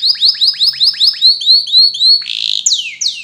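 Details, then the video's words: Atlantic canary song played to prompt young canaries to sing: a series of loud, clear, rising whistled notes repeated about every quarter second, then a short buzzy trill and sharp upward sweeps. "Masteran Suara Kenari Ini Agar Kenari Paud Cepat Bunyi dan Gacor"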